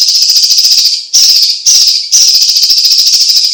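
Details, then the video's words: Harsh rasping trills from a Chinese leafbird (cucak ijo cina or cucak cungkok), singing energetically for tutoring and prompting other birds, run almost continuously with only brief breaks between the buzzy phrases. "Suara Ocehan BURUNG CUCAK IJO CINA Gacor - CUCAK CUNGKOK"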